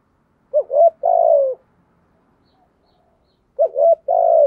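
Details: Spotted dove with the 'giọng thổ' voice, two cooing phrases three seconds apart, each a pair of quick rising hoots followed by a long, steady, softly falling coo; near silence between.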